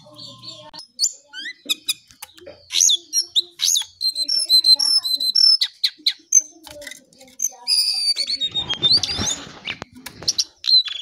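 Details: Lesser shortwing (cingcoang coklat) delivering a busy, high-pitched song of sharp chirps, quick whistled notes and rapid trills, with a brief noisy burst near the end.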